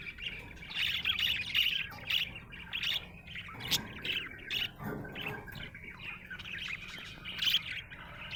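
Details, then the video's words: Happy budgerigar chirping: busy, continuous warbling chatter of short bright chirps and squeaky notes, with louder sharp chirps scattered throughout and a faint low hum beneath. "Happy budgie chirping sound"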